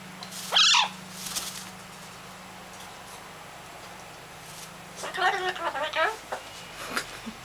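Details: Newly acquired two-year-old pet Blue-fronted Amazon parrot, talking indoors: one short loud harsh squawk near the start, then a burst of chattering, speech-like notes about five seconds in, while a person speaks to it.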